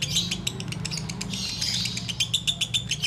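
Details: Sooty-headed bulbul singing in the ngekek style, heard while waiting to break the fast: a fast, uneven chatter of high, sharp notes, about three to four per second. A steady low hum runs underneath.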